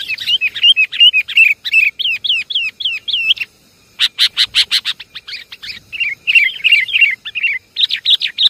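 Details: Sooty-headed bulbul lure recording, Javan kutilang: dense runs of bright, bubbly chirps and rising-falling whistled notes, repeated nearly three times a second, with a short pause before harsh staccato chatter resumes.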